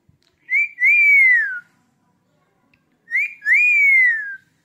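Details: Male Indian ringneck parrot repeating the same loud two-part whistle twice, a short note then a long rising-falling one, about three seconds apart.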